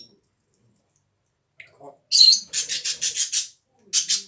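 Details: A pet parrot coughs in a run of rough, breathy bursts, about five quick hacks in a row, then a pause before another pair of harsh coughs.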